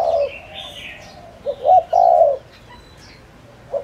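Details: Decoy spotted dove calling to draw in wild doves in Vietnamese farmland: a low hollow coo, then a pause, then a quick double note and a drawn-out mellow coo, with faint chirping from other birds.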